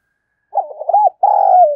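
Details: A single spotted dove coo phrase, played to make newly caught doves coo fast: a string of quick wavering low notes followed by a long, slightly falling burry coo.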